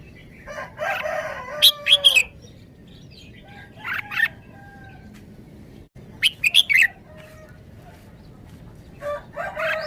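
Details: Red-whiskered bulbul kept in a cage, performing 'wild song' phrasing: warbled harmonic phrases, then tight clusters of bright chips around two and six seconds, separated by quiet gaps.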